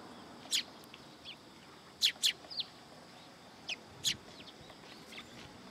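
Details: Sparrows arriving for food first thing in the morning at a Tenmangu shrine, 27 September 2022; short, sharp high chirps, some in quick pairs, about eight over six seconds against a low steady hum.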